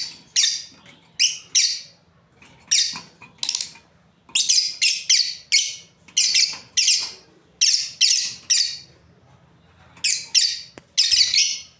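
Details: Breeding pair of lovebirds chirping: harsh, shrill, raspy chirps given in short clusters of two or three, repeated every second or so with brief pauses between bursts.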